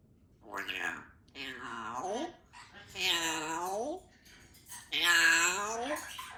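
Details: Three-year-old female Congo African grey parrot, a pet living in a country home, talking in several short speech-like phrases with clear voiced, rising and falling tones, separated by brief pauses.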